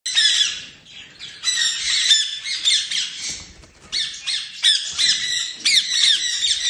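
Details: Lovebird calling with harsh, rasping squawks in dense bursts, repeated with short pauses between runs, high-pitched and grating throughout.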